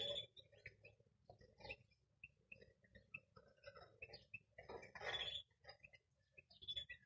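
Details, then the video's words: Young greenfinch x canary hybrid mules twitter in quick, scattered chirps and short high whistled notes, with brief louder bursts of jumbled warbling. "Young hybrid Greenfinch x canary mules."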